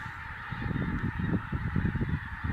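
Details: Pink-footed geese, a large flock estimated at about 45,000 birds, give a busy, overlapping chorus of short, low honks over a steady rushing background.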